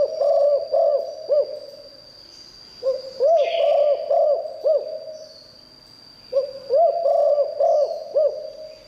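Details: Spotted dove in the 'liu tan' song style, reputed to bring wild doves in: three bouts of low, rounded coos, each a quick series ending in a drawn note, separated by quiet pauses, brief hiss once.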